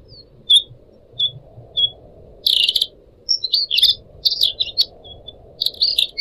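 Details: Pied triller (decu), a kept songbird, singing gacor: three short clear whistled notes, then bursts of quick, buzzy, high chattering phrases, over a faint low hiss like trickling water.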